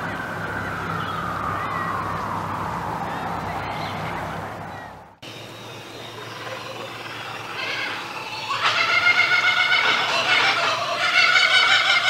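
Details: Laughing kookaburra laughing in the morning: a gliding tone falls slowly, then after a break rapid harmonic notes build into a loud, rolling cackle in the second half, over a steady low hum.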